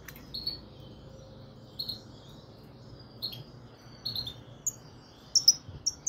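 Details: Goldfinch, subspecies frigoris, giving sparse short high chirps and tinkling notes spaced about a second apart, with a few closer together near the end, against a quiet low rumble.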